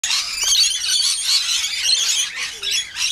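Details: Wild lorikeets at morning feeding time waking the neighbourhood; a dense, continuous chorus of shrill, screechy high-pitched squeals and chatter from many birds, no pauses.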